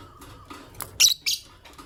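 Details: Green masked (Personata) and albino lovebirds, kept birds heard in the morning: a faint short note, then two loud sharp high chirps close together, over soft rustling and clatter.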